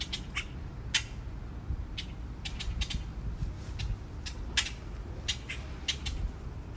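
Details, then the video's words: Magpies calling around a park: harsh, dry, broadband chattering bursts, single and in quick clusters of two or three, scattered irregularly over steady low traffic-like rumble. "Parque con aves (urracas graznando)"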